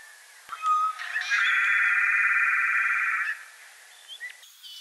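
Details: A Song sparrow sings while foraging. A few clear introductory notes lead into a long, even, buzzy trill lasting about two seconds, followed by soft scattered notes afterward.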